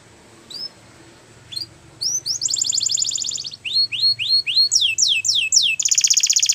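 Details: Belgian canary singing: after a few isolated upslurred chirps, a rapid buzzing trill starts, then rows of repeated downslurred whistles and a final fast high rattle. A faint low hum sits underneath.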